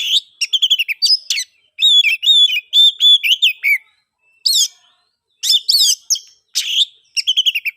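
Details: Ngeplong-style oriental magpie-robin song, played as a lure to get mute birds singing: rapid clusters of clear whistled notes, a run of level sweet whistles midway, then short buzzy bursts after a pause, with a clean background.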